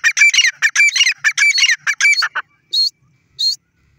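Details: Black francolin calling: a rapid run of harsh, grating, crackling notes lasting about two and a half seconds, then after a pause two short, higher squeaky notes; no other clear sounds.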